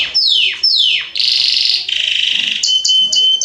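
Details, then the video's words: A Belgian canary sings a loud, clear song: two long whistles sliding steeply downward, then buzzy rolling tours and quick bright trills, ending on a thin steady whistle. "Canto de Belga"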